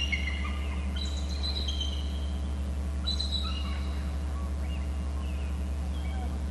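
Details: At an eagle nest territory on Hornby Island, two eagles call to each other, one away in a babysitting tree: thin, high, chittering whistles, brief falling notes every second or so, over a steady low hum.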